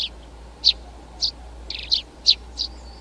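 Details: Eurasian tree sparrow calling with brief bright chirps about every half second, some doubled, against a quiet low hum.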